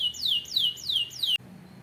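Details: Canary singing four loud, clear whistled notes, each sweeping down from high to mid pitch and repeated about every third of a second, then cut off abruptly into a quiet low hum.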